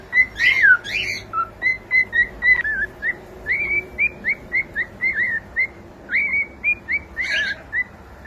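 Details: Cockatiel chick in the home giving a lively song of rapid short whistles, mostly upslurred, mixed with a few harsh chattering bursts near the start and end.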